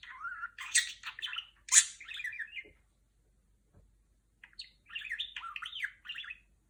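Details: Female budgerigar chattering in R2-D2 style: a burst of warbled whistles and harsh squawky notes, a pause with faint clicks, then a second phrase of wavering, rising and falling whistles.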